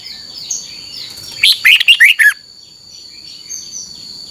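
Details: A caged Red-whiskered Bulbul singing a training song for other birds to learn: one short burst of five bright, slurred notes near the middle, surrounded by quiet and a faint high whine.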